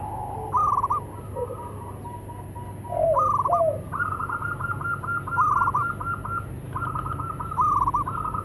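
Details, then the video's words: Several local zebra doves, male and female, calling back and forth. Overlapping rippling coo phrases and lower soft purring notes repeat almost continuously, forming a layered chorus of mellow trills. "Suara perkutut lokal saling sahut."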